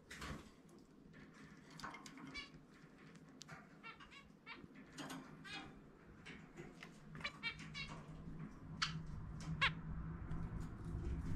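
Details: A pet zebra finch with an unusual individual song, during indoor free-flight time, sings quick bursts of nasal, buzzy notes mixed with short squeaky chirps at a brisk pace over a low room hum.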